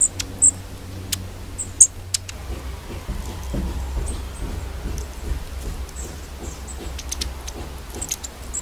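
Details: A winter flock of long-tailed tits at a suet feeder in a UK garden, squabbling over the best position with pecking and chasing. Very high, thin, short calls are scattered throughout, with a low hum during the first two seconds.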